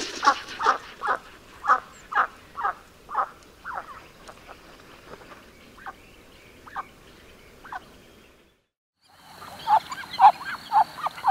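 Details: Muscovy duck giving a run of short, harsh calls at a fairly steady pace, about two per second, fading to quieter notes, then a pause before a busier burst of calls returns.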